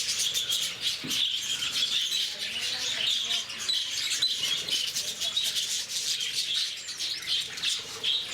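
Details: A noisy group of lovebirds at the zoo in Bangalore, Bannerghatta, keeping up unbroken shrill twittering and squeaking for several seconds, with clicky bursts in the high chorus throughout.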